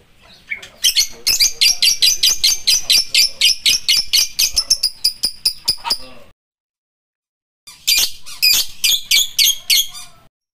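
A lovebird chatters in fast bursts of shrill, scratchy chirps, about five a second, in two runs separated by a short pause.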